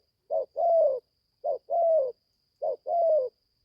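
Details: Newly calling young spotted dove on its first forest training trip gives three low coo pairs, each a short note then a longer level note, about a second apart, over a faint constant high hum.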